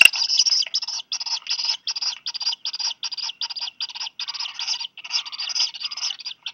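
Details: Black guillemot chick begging while parents bring fish, Seal Island National Wildlife Refuge, Maine, USA, in July; shrill buzzy peeps pulsed steadily about three times a second.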